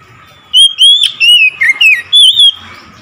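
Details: Oriental magpie-robin singing as soon as it hears another magpie-robin: a loud run of six clear whistled phrases, some rising and some dipping, in quick succession, with a faint background hiss.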